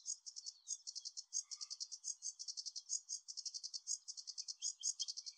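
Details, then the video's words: Sedge warbler singing at Anderstad, Lier, on 17 May 2024: a fast, unbroken run of high, buzzy, chattering notes repeated several times a second, scratchy and insect-like, against a quiet background. "Zingende rietzanger"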